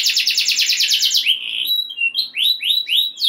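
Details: Canary singing to stir rival canaries: a dense rapid buzzy trill, then a thin whistle and spaced rising-falling notes.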